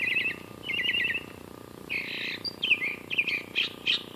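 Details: Singing bird at 84.9°F on Western Ave, Glendale, California: two rapid trilled bursts of repeated notes, a pause, then a varied run of warbled and slurred notes ending in sharp separate chirps, with low background hum.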